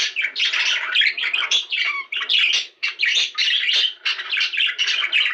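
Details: Budgerigars in breeding song, chirpy and buzzy chatter with a few clearer whistled slides, broken by short pauses around two and three seconds.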